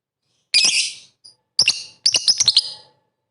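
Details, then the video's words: Short lovebird sequence used to provoke rivals: a harsh buzzy burst, a tiny faint note, then stuttering shrill chips in a quick rapid cluster. "pancingan MP3 bikin emosi lovebird kalian tarung tingkat tinggi"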